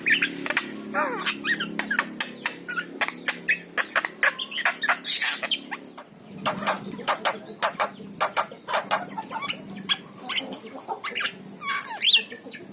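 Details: Yellow-eyed Javan myna in long, dense chattering song: fast runs of dry clicks and rasping notes with occasional whistled slurs, barely pausing, above a low humming background; played to get pet mynas singing.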